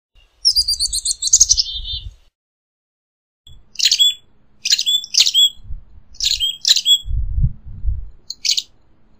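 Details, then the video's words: Black-capped Chickadee giving a quick run of high notes, then a string of short, buzzy dee-like notes about every half second, with low rumbling wind. "Black-capped Chickadee Song! Black-capped Chickadee Call! Black-capped Chickadee Sound! Singing!"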